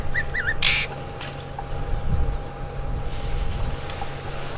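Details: At Djuma Game Reserve, South Africa, on a golden July 12, 2015 afternoon, a Fork-tailed Drongo landed in front of a safari vehicle gives quick, wavering, robotic, twangy metallic notes, then a harsh burst, over a rumbling engine.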